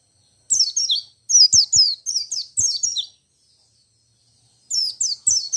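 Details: White-eye in rolling ngerol and nembak song, meant to provoke other white-eyes into singing; back-to-back bursts of shrill, quick, falling twittered notes for about three seconds, a pause, then another high burst.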